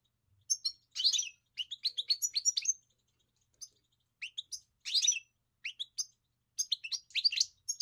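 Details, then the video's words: European goldfinch song delivered in short bursts of bright twittering and sharp chirps, separated by brief pauses, high and clear against a silent background. "Enjoy the experience of the elegant singer GOLDFINCH"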